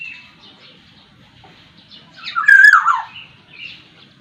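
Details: Sumbawa black-naped oriole singing a single strong phrase: a mellow whistle dropping in pitch with rough harsh overtones, preceded and followed by faint thin twitters.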